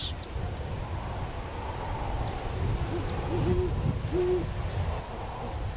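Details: A breeding pair of Great Horned Owls in December, late afternoon, by a mangrove channel at Cockroach Bay nature preserve on Tampa Bay, southwest Florida. The female is heard. A few low, soft hoots, two or three in quick succession, over a steady low rumble.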